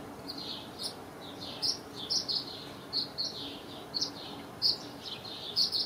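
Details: Tree swallows nesting in backyard bird houses around the time the fledglings take their first flight. High, short chirps repeat irregularly, several per second at times, over a steady background hiss.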